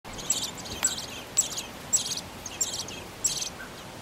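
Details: Ten-day-old common blackbird chicks, reared in a flower box, beg for their parents with thin, very high, hissy bursts repeated about twice a second, over soft background hiss.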